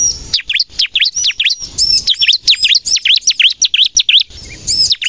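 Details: Bar-winged prinia in full 'gacor' song, meant for luring and for prompting captive birds: crisp, high, down-swept chirps strung together, with a few arching whistled notes in the middle and a short break before the end.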